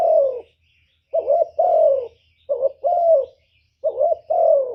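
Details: Lure call from a decoy spotted dove, meant to draw in wild doves. Soft, low coos in pairs, a short trembling note then a long falling note, repeat three times after an opening single coo.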